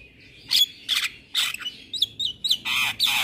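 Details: Asian pied starling in gacor song for bird-keeping practice: loud raspy broadband bursts alternating with short rising whistled notes, about seven phrases in three seconds, no other sounds.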